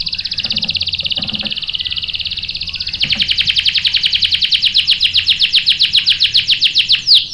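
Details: Canary song brought on by a female calling as bait: a steady thin high trill, then a louder rolling run of rapid downward-sweeping notes, about four per second, ending with an upward flick.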